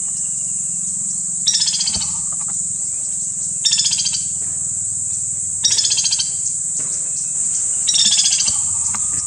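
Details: Four chattering rattles, each a burst of quick repeated notes about two seconds apart, from a white-naped woodpecker in Kanha National Park, Madhya Pradesh, India, against an unbroken shrill insect background.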